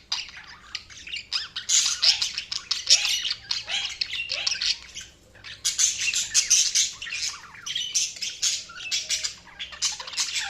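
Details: Pet budgies chattering in bursts of high, scratchy chirps and warbles, pausing briefly between excited flurries of rapid notes.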